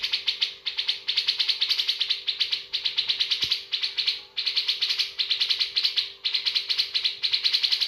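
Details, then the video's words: Bearded bulbul delivering a luxurious filled song: a near-continuous stream of sharp, high twittering notes in fast, uneven runs with brief gaps. A low steady hum runs throughout. "Cucak jenggot isian Mewah"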